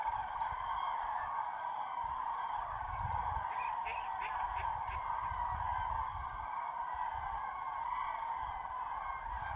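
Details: Wild common cranes stirring at dawn in fog at a mass roost in Spain's Tablas de Daimiel National Park in mid-January, alongside some greylag geese and teal. Countless trumpeting calls form a steady droning chorus, with brief sharper calls near the middle.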